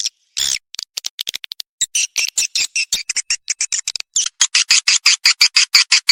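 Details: Swiftlet call played as a lure to attract swiftlets: a rapid series of short, dry, buzzy chirps, sparse at first, then growing denser and louder into a steady clicking chatter.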